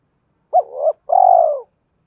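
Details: Lure-calling spotted dove used to attract wild birds, 'hai hậu ròng' style: a hooked opening note dipping and rising, then a drawn-out, even, husky low coo ending in a slight fall.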